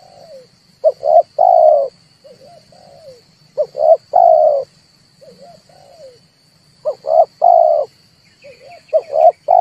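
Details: Red turtle dove lure for trapping: low coo phrases of short notes and a held note, broken by quieter soft wavering notes between them, a constant thin high tone behind.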